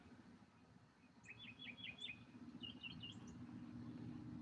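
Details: A Northern Mockingbird sitting atop a pole in its garden territory in Alabama sings quick bright phrases, repeating one chirpy figure, likened to "kitty kitty kitty", four times before switching to a higher twittering one, over a steady low traffic rumble.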